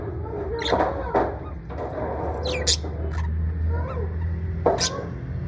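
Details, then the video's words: Parrot in the USA, in a good mood: harsh broadband squawks scattered through the clip, a few wavering mid-pitched warbles between them, over a steady low hum. "Parrot in usa in good mood"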